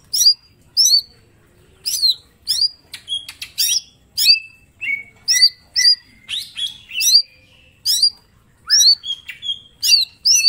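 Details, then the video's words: Mini green leafbird giving a full master song for training: crisp hooked whistles repeated roughly every second and a half, broken by rapid sharp ticks and a few descending slurred notes, clean quiet background. "Cucak ijo mini gacor full tembakan bongkar materi"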